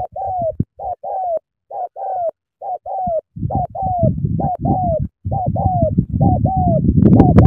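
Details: Spotted dove from Cà Mau, Vietnam, cooing hard in the sắm thổ style: quick bursts of short coos with falling tails, clean at first, then layered over a growing low booming rumble.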